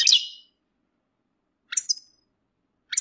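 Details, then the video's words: European goldfinch mating calls that stir males to sing during moult: a short, rich twitter, then thin, high, descending whistled notes, with another note starting at the end. "بتبتة رائعة لتحفيز الحسون على الخروج من غيار الريش بسرعة"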